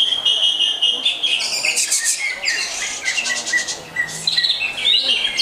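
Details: Greater green leafbird singing Jet Li style: clear whistles and sharp rapid buzzy trills, with high harsh bursts mid-clip and descending slurred notes, the background otherwise quiet.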